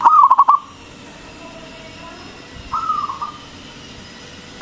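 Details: Local zebra dove, loud-voiced, singing as a lure for other doves. Opens with a rapid run of pulsed coos, then after a pause a softer drawn-out cooing note begins.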